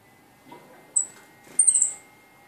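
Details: Two tame female red-eared parrotfinches in a decorated birdcage with artificial greenery and LED lights give very high, thin calls: one short piercing note, then a longer high sibilant call, over a faint steady indoor hum.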